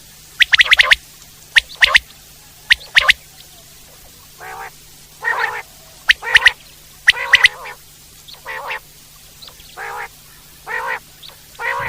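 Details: Common quail in the wild: sharp, clipped notes given in quick pairs and triplets, repeated every second or so, alternating with lower, rougher harmonic calls later in the clip, over a quiet background with a faint steady hum.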